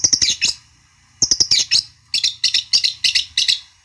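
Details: Long-tailed shrike song meant to trigger a rival's reply: quick clusters of harsh, scratchy chattering notes, a one-second pause, then an even run of grating chirps.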